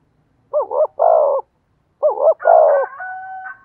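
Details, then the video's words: Spotted dove decoy with a thổ voice, giving two phrases of a wavering double coo and a longer throaty note, the second ending with a thin, steady whistle-like tone. "tiếng cu gáy mồi chuẩn giọng thổ hay"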